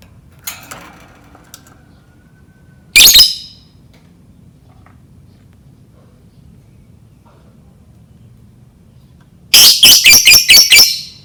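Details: Lovebird calling, played to coax other lovebirds into learning to sing: mostly quiet, then one sharp shrill burst, later a fast run of about six piercing high chirps near the end.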